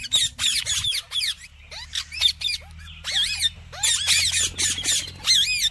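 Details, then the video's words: Talking rose-ringed parakeet giving ringing, arch-shaped harmonic syllables and short rising whistles in uneven bursts, interspersed with raspy notes, above a quiet low hum. "Tohking Ringneck Amazing Parrot"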